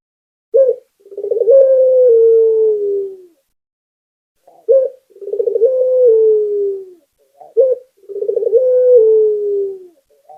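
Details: Local Barbary dove in lively song, played to keep other doves singing: three long phrases, each opening with a brief coo, then quick throbbing pulses sliding into a steady falling note.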